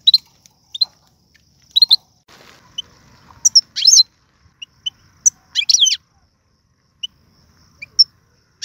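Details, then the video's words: Algerian goldfinch song mixing tiwawti, galoubi and serfati styles, used to teach young birds: scattered high chirps and liquid twitters, with sweeping slurred notes building after three seconds. "من اقوى اغاني طائر الحسون, تيواواطي قالوبي النادرة + سرفاتي"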